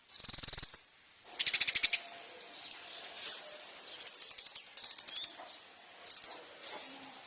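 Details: Sunbird (kolibri ninja) singing vigorously, recording used as a lure: a rapid buzzy trill, then several short bursts of quick high notes with single chirps between them.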